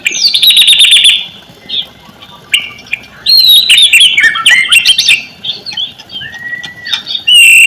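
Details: Lure song of a white-rumped shama, meant to prompt reluctant shamas into full song: a rapid high trill, bursts of varied whistles, chatters and clicks, a long clear whistle, then a loud high final note.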